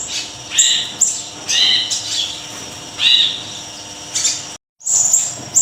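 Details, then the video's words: Small siri-siri song: bright, high-pitched chirps and falling whistles delivered in short clusters. A brief gap of silence breaks the run before the sharp notes resume. "Siri-Siri Kecil Gacor"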